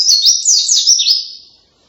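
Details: White-eye giving a loud song compared to a canary, a brief string of high, swooping whistled notes rising and falling quickly before trailing off.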